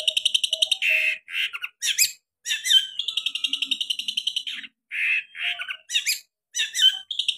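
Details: A long-tailed shrike in full song packs sharp 'tembakan' variations into an almost nonstop stream of high buzzy trills, squeaky whistles and harsh chattering phrases.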